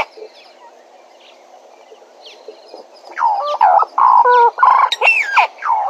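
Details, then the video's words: At Djuma, a Bennett's woodpecker starts calling after three seconds of quiet bird chatter: a run of loud, harsh, reedy notes, some held level and some sliding steeply, roughly three per second. "Bennett's Woodpecker at Djuma"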